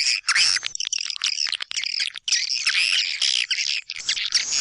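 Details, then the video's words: Kaltimtara lure call for white-nest swiftlets, used in swiftlet houses in East Kalimantan. Packed, high-pitched squeaky chirps and buzzy chatter come in quick clusters, broken by a short pause midway. "Suara panggil kaltimtara"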